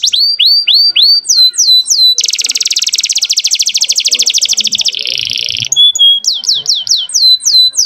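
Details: Canary song aimed at arousing females and tutoring young canaries. It opens with repeated downslurred whistles, followed by a long dense buzzy roll, a lower buzz and a single steady whistle, then more whistled slurs.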